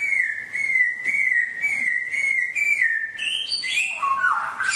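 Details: Songbird with a wild forest-style song, played ten minutes daily so caged birds can learn it: a long steady whistled tone held for about three seconds, then a quick run of higher, rising and falling whistled notes.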